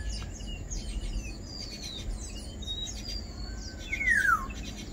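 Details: Black-naped oriole (Oriolus chinensis) calling amid a busy chorus of other birds' thin high whistles and twitters. Near the end it gives one loud, nasal, downward-sliding slur lasting under half a second. A steady low hum sits underneath.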